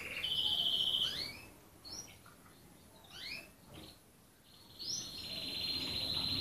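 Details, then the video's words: A red canary sings a steady high rolling trill, breaks into a few sweeping chirps, then launches a long, level, bright trill that carries to the end. "غناء الكناري الأحمر|Cantando el canario rojo|Cantando o Canário Vermelho|Singing the Red Canary"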